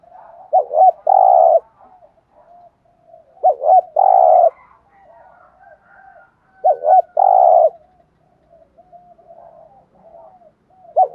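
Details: Spotted dove in "thúc gù" lure calling to bring in wild doves. Three evenly spaced phrases, each a bouncing double note and a sustained, mellow hoarse coo, with faint cooing between them. A fourth phrase begins at the close.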